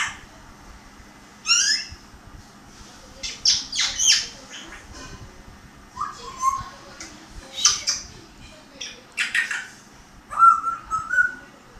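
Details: Grey parrot talking in a burst of mixed sounds: warbled descending notes, clicks and speech-like chatter, then a clean whistled phrase toward the end, over a faint constant hum.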